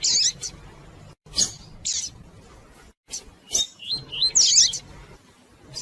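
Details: Female double-collared seedeater (coleiro tui tui), a caged bird, calling and chirping a lot to stimulate a male to sing: short high chirps and thin whistled notes in scattered bursts, with brief silent gaps between.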